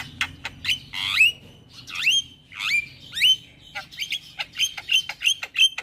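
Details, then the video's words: Black-winged myna, a young male caged bird, in full song: loud squawking notes that sweep up then down, each about half a second apart at first, then quicker clipped whistles toward the end. "Jalak Kebo Jantan Muda Gacor PAs Buat Masteran dan terapi Burung Jalak Stres"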